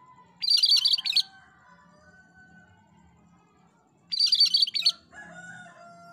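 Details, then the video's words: Gacor song of the cream-striped bulbul (cucak kerinci) for masteran use: a pair of dense, high chattery phrases roughly four seconds apart, with faint lower whistled tones from other birds in the pauses. "Masteran Burung Cucak Kerinci Gacor"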